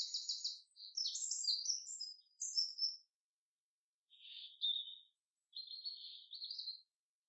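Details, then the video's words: Common chaffinch singing in a forest: a rapid high trilled phrase sliding down over about three seconds, then, after a pause, two shorter mid-pitched buzzy phrases. "Beautiful Song of the Chaffinch in the forest"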